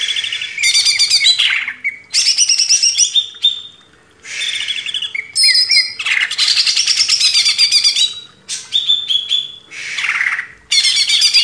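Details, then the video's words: Master recording of a Greater green leafbird, used to train cage birds, singing energetically: long bursts of fast, high, scratchy trills broken by short gaps, downward-sliding phrases and sharp whistled notes. "MASTERAN CUCAK IJO // LANGSUNG GACOR"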